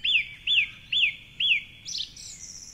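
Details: Dawn chorus at 4.45am, Cork City: a male song thrush on a tall tree by the Curragheen River repeats a clear arched whistle four times, about every half second, then ends with a higher squeaky flourish.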